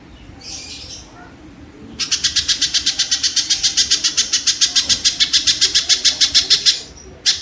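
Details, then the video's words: Shrike song used as training audio for songbirds to copy: after a short scratchy note, a long harsh rattle of regular chattering notes, about three and a half per second, for nearly five seconds. "suara burung tengkek"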